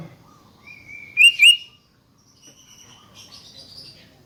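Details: Sooty-headed bulbul song used as a lure to get other bulbuls singing: a clear whistled phrase rising and wavering, loudest in two quick upslurred notes, then softer high thin notes in near silence.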